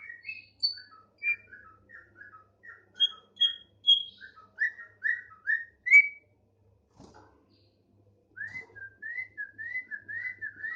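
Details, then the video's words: Tame Thick-billed heleia: a series of quick, lower whistled notes with a few high clear whistles, a pause with one sharp knock, then another run of rhythmic, upslurred whistles. "Opior Paruh Tebal, Jinak Gacor"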